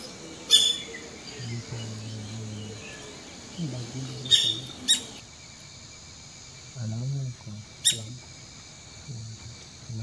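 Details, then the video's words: A streak-throated woodpecker gives a few sharp, high, abrupt call notes spaced a few seconds apart, over low murmuring human voices. "Streak throated woodpecker"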